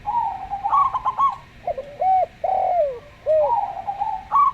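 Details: Local zebra dove giving a slow, gentle song: a level droning note breaking into quick staccato pulses, then several arched, falling coos.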